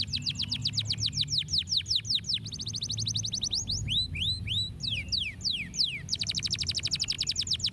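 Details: Stimulating canary song: fast series of steep downward-sweeping notes, a steady trilled passage, then slower looping whistles, ending in another rapid repeated-note roll, with low background hum.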